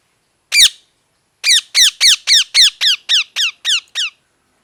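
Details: Parrot giving one harsh falling chirp, then after a pause a fast, regular run of about eleven similar chirps that grow slightly softer toward the end.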